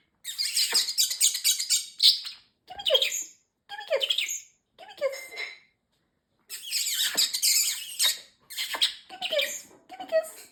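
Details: Talking pet parrotlet, male, chattering a string of his phrases. Shrill, scratchy syllables come in quick clusters, a pause, then another long run of high, buzzy mimicked words.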